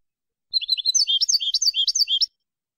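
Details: European goldfinch in clean song, recorded for a 2020 CD: a bright, high twittering burst of quick rising and falling notes lasting under two seconds, with silence around it.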